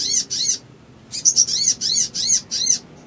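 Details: A Sooty-headed bulbul, recorded as a lure to provoke other birds into singing, gives a fast run of high, arched, slurred notes, about four per second, in two bursts with a short pause between.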